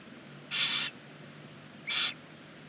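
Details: Barn owl nest box on a chimney below a stork nest, Ságvár, Hungary, with the first chick on its first day: two rasping hiss bursts, the first longer, separated by about a second of quiet.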